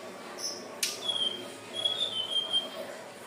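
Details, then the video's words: Hill blue flycatcher song played to lure birds: thin, high whistled notes drawn out in a few sliding phrases, with a sharp click and a steady background hiss. "SUARA BURUNG TLEDEKAN BIRU/SIKATAN NINON/SELENDANG BIRU"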